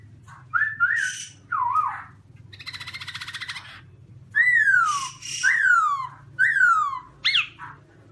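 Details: A caged black-throated laughingthrush sings very loudly: rich whistles sliding downward, about one each second, broken early by a harsh buzzy rattle, over a low hum.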